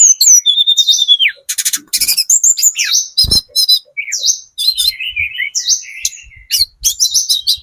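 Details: Sunda robin of the spotted 'trotol' type giving lure song for other birds to answer: a long whistled slide, then rattling trills, quick chips and falling whistled notes in busy succession, with one low knock.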